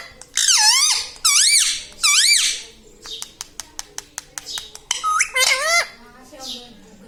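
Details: Talking parrot indoors in a small room: three loud, harsh, rising-and-falling squawked phrases, then a run of sharp clicks, then two more hoarse, wavering phrases.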